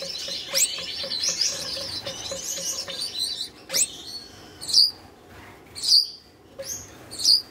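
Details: Caged red-headed Gouldian finches courting soon after being paired for breeding; a stretch of high buzzy warbling gives way to sharp separate chirps spaced about a second apart.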